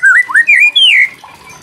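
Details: White-rumped shama song in the crackling kretekan style, played to provoke other shamas into singing fast: four loud, rich whistled phrases that slide and rise step by step, then a fading low warble.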